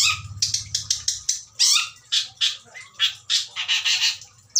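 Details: Captive adult shrike held for breeding, giving a loud varied song of short harsh buzzy bursts and scratchy notes in quick succession, with a faint low hum early on.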